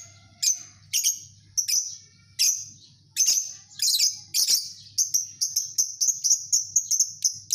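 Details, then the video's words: Lovebird colony chirping: sharp, shrill high chirps repeated roughly every half second, speeding up and crowding closer together toward the end, over a faint low hum. "Suara Burung Lovebird Koloni, Membuat burung jadi ngekek Panjang Gacor"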